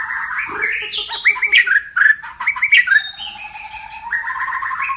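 A White-rumped shama sings a rich, varied song of clear whistles, quick rising and falling phrases and buzzy notes, changing voice every second or so.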